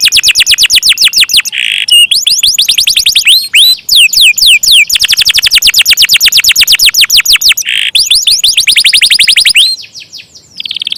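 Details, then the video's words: A canary pours out continuous rapid rolls of sweeping notes, broken by a few short harsh buzzes, with the trill running almost without pause for over ten seconds. "KENARI KOLABORASI GACOR NGEROLL PANJANG"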